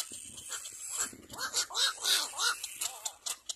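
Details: Little black cormorant tending its chick gives a quick run of squealing, arched nasal calls, about three a second, over a steady high hiss.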